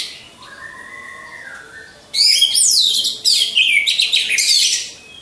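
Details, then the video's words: Caged orange-headed thrush used as a training lure: soft, lower drawn-out whistles for two seconds, then an abrupt outburst of loud, fast, high, jumbled chattering song lasting about three seconds. "Pancingan Burung Anis Merah"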